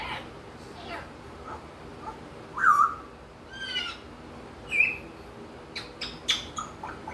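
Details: Male African grey parrot, over a year old, outdoors during his morning routine imitating wild birds: scattered short whistles and chirps, a few rising and falling whistled notes, and sharp clicks, with quiet gaps between.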